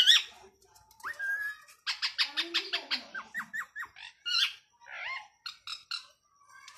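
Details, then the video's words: Ringneck parrot, a rose-ringed parakeet that talks a lot, giving a busy stream of chattering notes: quick upswept whistles, a string of short rising squeaks near the middle, then scratchy squawks and soft babbling. "RINGNECK Talking Parrot"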